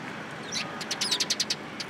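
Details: In a cherry tree at a Tenmangu shrine, sparrows assemble on 21 March 2023. A short string of about six quick, high chirps rises over a soft, steady background hiss.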